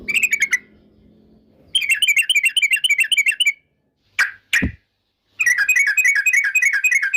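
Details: Yellow-vented bulbul song used to agitate rivals: repeated bursts of quick, bubbly, wavering notes separated by silences, with two sharp clicks in the middle gap before a final long, steady burst.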